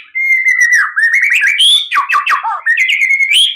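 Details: Loud, clear white-rumped shama song meant to make captive birds answer: a long level whistle breaking into twisting, buzzy notes and a rich descending burst, then whistling again.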